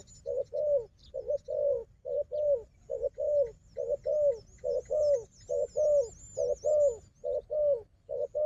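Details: Wild dove, strong at fighting, calling against a decoy dove: low hollow coos repeated steadily, each a short note followed by a longer falling note, about seventy per minute, with a thin high whistling chatter above.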